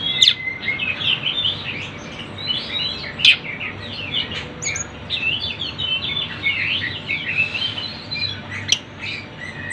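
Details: Sunda bush warbler song, busy bird-sound recording meant for luring birds: dense overlapping high chirps and short twisting whistled phrases, sharp clicks at intervals, a continuous lively chatter throughout.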